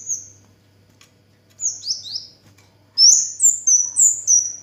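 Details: Orange-headed thrush, an Indonesian songbird, singing a faint opening note, then three falling slurred whistles, then a loud fast run of five or six high sliding notes, each sharply dropping in pitch.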